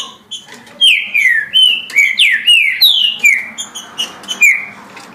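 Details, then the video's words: Green-winged saltator pouring out 17 songs per minute: a quick string of about eight ringing whistles, each dropping in pitch, evenly spaced and loud against a quiet background. "Trinca Ferro Senhor dos Anéis Passando 17 Cantos por Minuto"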